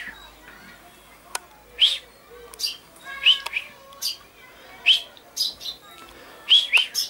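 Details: Common chaffinch, recorded 22 August 2013: short, bright, high chirps and clipped notes come in irregular bursts, some paired and some rising, with soft background twittering throughout.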